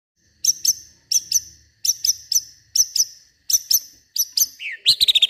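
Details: White-rumped shama singing agitatedly at night, pouring out its learned repertoire from the garden: sharp high paired notes repeated in bursts about every second, ending in rising whistled notes and quick high chips.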